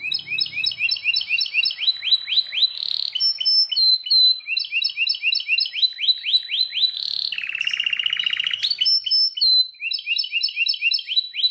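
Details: Belgian canary song with long varied phrases: quick repeated upslurred chirps, buzzy rolling trills, high thin whistles, and rapid stacked notes, continuous and lively throughout.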